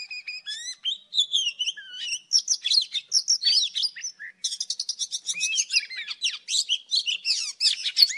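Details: Old wild Oriental magpie-robin singing in the morning, recording used as a trapping lure: a fast, varied run of high whistles, rising slurs and buzzy trills. Short gaps break the phrases, and no other sounds are noticeable.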